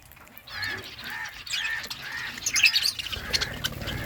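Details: Budgerigars in a flock while eating, with repeated mid-pitched squawky notes roughly every half second, then sharper high chirps and chatter, plus faint low noise.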